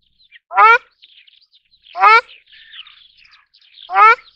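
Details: Ruddy shelduck (Tadorna ferruginea) calling three times, about one and a half seconds apart. Each call is a brief, harsh, trumpeting honk, over a light background of small-bird twitters.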